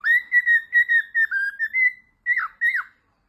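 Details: Pet cockatiel singing while playing peek-a-boo indoors: a run of clear whistled notes near one steady pitch, about two per second, ending with two short downward-sweeping whistles after a brief pause.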